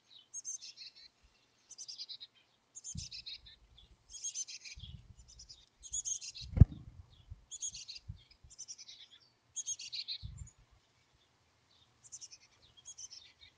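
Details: Chickadee nestlings at a wild nest cavity near Emigrant, Montana, in July 2022: repeated clusters of very high, thin chirps and buzzes throughout, with low rustling and one sharp knock in the middle.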